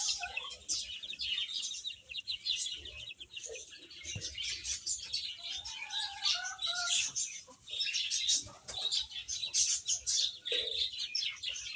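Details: A brood of baby chickens eating and playing, their thin peeps forming a nonstop busy chatter, with some lower wavering notes mixed in around the middle.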